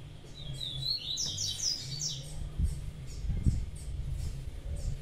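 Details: Young blue-black grassquit giving high, buzzy, slightly rising notes in a quick cluster over about two seconds, then fainter repeated ticks, with a constant low hum and occasional knocks.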